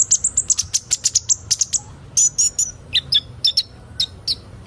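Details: Kolibri ninja sunbird song, used to encourage young birds to sing: a quick series of high ticking notes, then a short pause, followed by squeaky doubled phrases that drop slightly lower.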